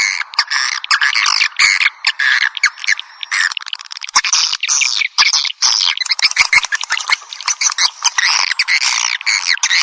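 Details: Swiftlets heard on a piezo calling-sound track: a constant, crowded twitter of high chirps and rising and falling squeaks, thick and unbroken, peppered with sharp clicks throughout.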